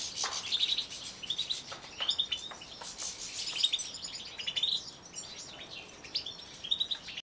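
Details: European goldfinch singing a lively, high-pitched twitter of quick chirps and short buzzy trills repeated in bursts about every second, with steady background chattering.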